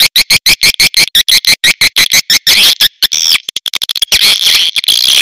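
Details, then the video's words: Swiftlets in a premium calling recording: fast, evenly paced clicking pulses, about three a second, merging into dense, shrill, buzzing twitter. "SP BURUNG WALET PREMIUM"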